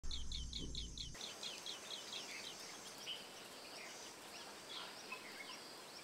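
Asian green bee-eater giving quick, high, trilled chirps, about four a second, then scattered chirps. Other birds call in the background, with a brief low rumble at the start.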